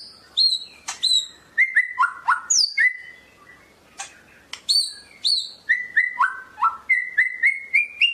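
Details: White-rumped shama from Medan delivering a fast varied song: high whistled double notes, steady repeated mid-pitched whistles and sharp clicks, strung together without pause.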